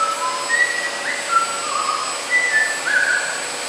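An eclectus parrot gives a run of clear, mid-pitched whistled notes, some level and some sliding upward, over a steady mechanical whine.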